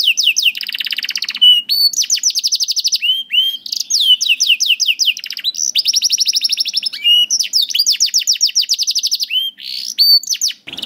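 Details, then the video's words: Canary song used as a tutor recording to train young canaries and birds reluctant to sing: rapid high trills of repeated downward-sweeping notes, broken by short whistled slurs and buzzy phrases, the tempo changing every second or two. "MASTERAN KENARI AMPUH UNTUK KENARI PAUD DAN SUSAH BUNYI"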